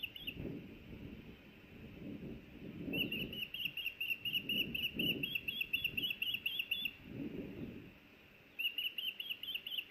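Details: Nesting osprey in Hellgate Canyon, Missoula, Montana, May 26, 2024, as a fish is brought to the nest: rapid series of high, piping chirps in bursts, pausing then resuming, over intermittent low bumping and rustling.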